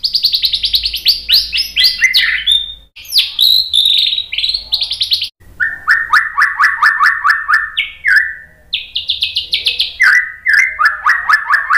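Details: White-rumped shama song for tutoring and provoking birds to answer: loud, varied whistled phrases, fast repeated notes that drop from high bright trills to lower rapid runs, with short pauses between bursts.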